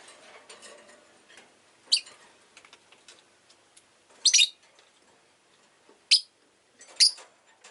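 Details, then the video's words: Pet rosy-faced lovebird giving sharp, harsh chirps in four separate bursts about two seconds apart, with faint street noise of traffic in the background. "Lovebird Chirping Sounds"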